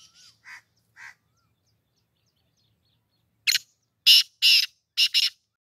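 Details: Black francolin in training for a tournament, evening of 17 June 2024: faint soft chirps at first, then a loud rasping phrase of four harsh, grating notes delivered in quick succession.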